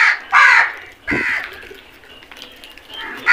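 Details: Crows calling as a flock during feeding: loud rasping caws at the start and a drawn-out harsher caw, then quieter distant calls before a final caw.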